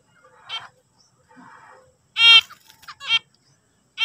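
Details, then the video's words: Zebra finch giving a few separate loud, nasal, tinny beeps with short quiet gaps between them and a softer buzzy note early on. "zebra finch singing"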